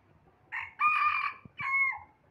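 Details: Bantam rooster crowing: a short hoarse opening note, a longer strained middle syllable and a falling final note, one full crow in about two seconds, with faint clicks in the background.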